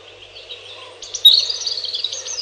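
A robin sings a high, thin, rapid warble that starts softly and then strengthens into a sustained twittering phrase, over a faint low background hum.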